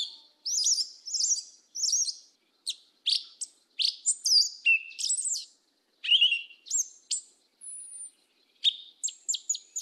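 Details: A yellow-legged thrush (Turdus flavipes) sings quick, varied phrases of high whistles, slurred notes and thin, piercing squeaks with brief pauses between them; no other sounds are heard.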